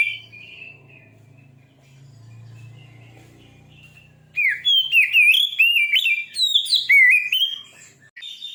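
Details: White-rumped shama song for stirring up a listener's shama: after a quiet start with a low hum, a loud run of clear, sliding whistles and sharp chips, varied and rapid, for about four seconds.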